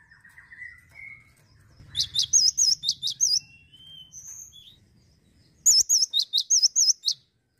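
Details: Male cinereous tit (gelatik batu): a rising thin whistle from another bird opens, then two bursts of rapid, high looping whistled notes separated by a pause with scattered short tones.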